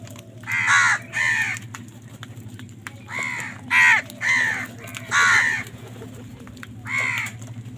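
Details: Crows fighting for food give loud, harsh, hoarse caws, about eight in singles and close pairs over several seconds, with a steady low hum behind them.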